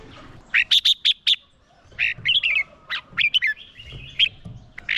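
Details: Red-whiskered bulbul decoy giving fighting song to attract wild birds: a crisp series of five quick identical chirps, then varied warbling, slurred phrases over faint low background noise.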